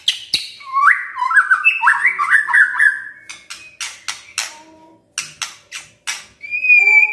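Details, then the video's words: White-rumped shama singing a full-fill song in the kretekan and tembakan style: a rapid run of zigzagging whistled notes in a mid register, then sharp crackling clicks at about four per second and a final high whistle. "KRETEKAN DAN TEMBAKAN murai batu full isian"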